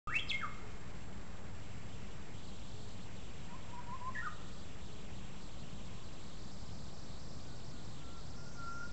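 A Japanese Bush Warbler gives a few sparse, clear whistled phrases: a quick bright flourish, a short rising whistle, then a long steady note, over a constant low rumble.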